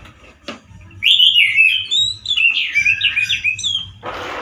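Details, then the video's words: A male orange-headed thrush sings a harsh, loud song with limited variety, sounding like a wild bird. After a click comes a long, continuous warble of rapid chattering whistles, then a rough noisy burst. "ANIS MERAH GACOR SUARA KERAS DAN KASAR SEPERTI DI ALAM LIAR"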